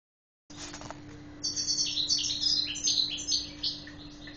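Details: European goldfinch kept for breeding, from Guelma, singing a rapid, twittering run of high tinkling notes and short buzzy chirps, quickly repeated in a liquid stream, over a constant low electrical hum.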